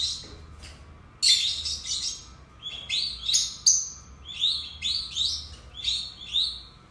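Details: Two pet lovebirds producing a quick series of sharp, high, downward-sweeping chirps, about two per second after a brief quiet opening, squeaky and piercing, with a faint low hum.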